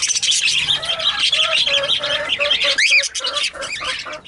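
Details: Two pet budgerigars chattering nonstop: a dense, scratchy warble of rapid chirps and squawks, a sharp whistled note sweeping up and down near the middle, and a row of short lower notes repeating about four times per second beneath.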